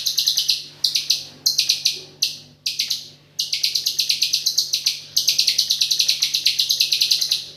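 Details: White-rumped shama in full continuous song, filled with 'AK47'-style material: short choppy bursts of rapid shrill notes at first, then long unbroken strings of quick repeated high chips over a faint low hum.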